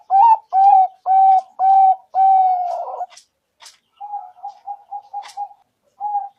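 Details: Zebra dove cooing, used as a trapping lure, Bangkok or local type: four steady mellow coos about half a second apart, a long note ending rough, then a quick run of soft clipped notes, a last coo, and scattered clicks.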